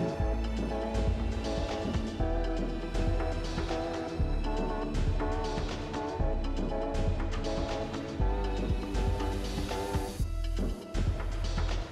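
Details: Steady music with a strong bass beat and layered harmonic tones; no animal voice stands out.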